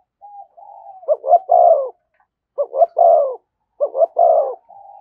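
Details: Spotted dove cooing in thúc gù style close to a decoy bird. Three loud phrases, each two quick clipped notes and a longer mellow coo, repeat about every 1.4 seconds, with soft steady hooting between them.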